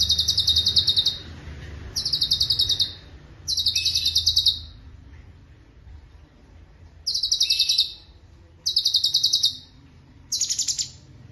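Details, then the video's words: Rolling master song of a cucak cungkok: six bursts of dense, high, buzzy trills, each about a second long, repeated every one to two seconds with a longer silent gap midway. "Irama LaguNYA Jelas , Roll speed, Tembakan Rapat"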